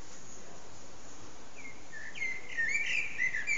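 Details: Common blackbird singing its evening song at sunset, recorded on an HTC Desire phone; after quiet hiss, a warbled, fluting phrase rises and twists in the second half over a steady low background rumble.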